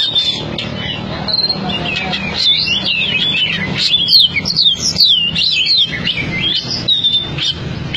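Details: Oriental magpie-robin, a prize-winning caged contest bird from Cianjur, sings a fierce, continuous medley. Swooping high whistles, quick up-and-down slurs and chattering notes run over a constant low rumble.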